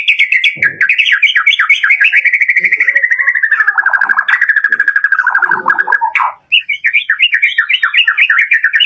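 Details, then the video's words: Lure song of a white-rumped shama in full variation: a long unbroken stream of rapid chattering notes that slowly drops in pitch, a short break, then a higher burst of fast repeated notes. "SUARA PANCINGAN BURUNG MURAI BATU DOOR FULL VARIASI"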